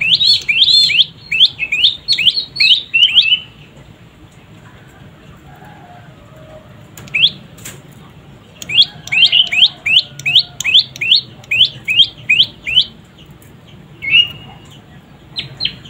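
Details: Juvenile prenjak lumut (moss prinia) chattering in fast bursts of high, wavering, falling notes, a three-second run, a pause with faint sounds, then a longer burst and a few scattered notes.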